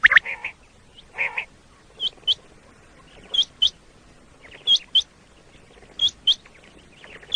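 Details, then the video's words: Common quail call for luring quail on a hunt in Pakistan: a rough low burst opens, then paired high hooked whistles follow, repeated roughly every one and a half seconds, softer than the opening notes. "Common Quail Call"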